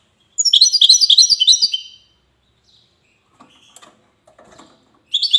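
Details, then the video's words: Wedani-style European goldfinch from the city of Safi, Morocco, delivering a fast burst of sharp, high twittering chirps, then a pause with faint rustling before another quick twittered phrase starts. "حسون ويداني"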